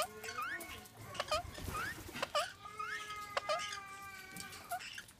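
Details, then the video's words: Indian ringneck parakeets calling while mating, pet birds: a run of rising squeaky notes, clicks and drawn-out buzzy tones, repeated irregularly. "Indian Ringneck Parrot Mating"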